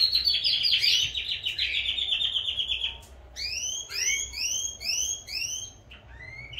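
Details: Canaries, kept in pairs soon to be separated, singing hard: a loud rattling trill for three seconds, a short pause, then bursts of quick rising slurred notes repeated in groups.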